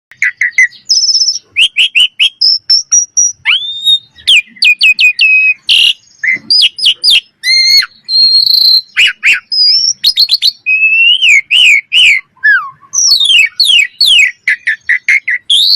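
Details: Common myna giving a long, varied run of loud notes: steep whistled sweeps, short harsh chips, ringing high tones and buzzy bursts in quick succession, with almost no pauses.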